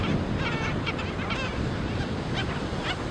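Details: Black skimmer chicks in a breeding colony: a scatter of short, rough, barking notes from several birds, some repeated in quick bursts, heard over a steady roar of wind and surf.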